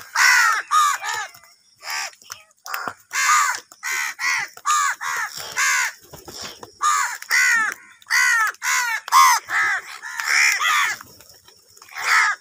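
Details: Fighting crows competing for food keep up a long, noisy run of short, harsh caws, closely spaced and irregular, some strident and some softer, continuing throughout.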